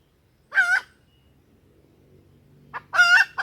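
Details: Lure call of a female junglefowl for attracting crowing males: a single harsh, nasal cluck, a pause of about two seconds with a faint low hum, then a stuttered cluck and another rasping note.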